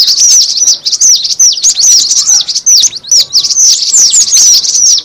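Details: Cinereous tit lure call. Steady, excited twittering of high, sharp notes that swoop down and up, delivered in quick clusters with tiny gaps between them.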